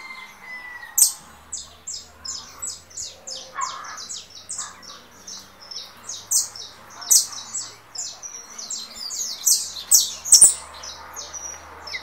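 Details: 'Russo' saffron finch coming out of moult, disputing with a canary played on another phone: long run of high, rapid, bright chirps with louder peaks near the end, and a brief whistle early on.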